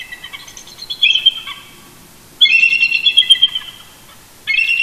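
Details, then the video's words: Pair of eagles chortling together from a roost beside their nest cam at Big Bear Lake, California, on 18 November 2018 at dawn: long trilled bouts of high piping squeals, a pause, another extended stuttering call, and a third beginning. "Shadow & Mrs BB Duet Vocals Early Morning"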